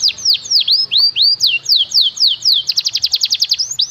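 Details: Canary master song with fancy cengkok for training young birds: slow repeated curved whistled sweeps, then a fast burst of short sharp high notes.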